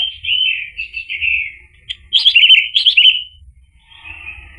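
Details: Orange-headed thrush singing a gacor ngeplong song meant to coax another thrush into answering. A slurred, warbling phrase is followed by a louder run of quick, chattering whistles, then a softer trailing note.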